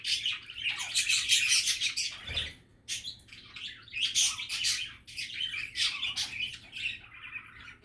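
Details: Happy, relaxed budgerigars chattering: a continuous stream of busy warbling, chirps and scratchy squeaky notes, with several birds overlapping and barely a pause, over a low background hum.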